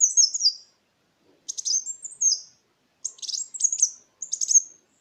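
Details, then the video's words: High twittering lure song of a Kolibri Wulung sunbird, used to coax birds that stopped singing and to tutor other songbirds; four rapid phrases of buzzy chips and thin down-slurred whistles. "Suara pancingan burung Kolibri Wulung"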